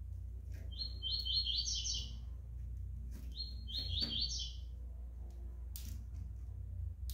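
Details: Five-month-old young double-collared seedeater repeating the same short buzzy trilled phrase twice, about two seconds apart, followed by a brief sharp noise, over a low hum.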